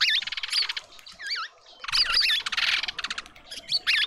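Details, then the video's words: A party of mousebirds at a suburban garden feeder in Pretoria, South Africa, chatters with harsh, rapid buzzy notes and sharp wavering whistles in overlapping bursts from several birds. "Mousebird party"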